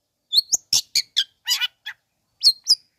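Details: Long-tailed shrike singing to provoke rival shrikes: a quick jumble of whistled upslurs, buzzy rasping notes and chirps in three seconds, ending with two clear rising whistles.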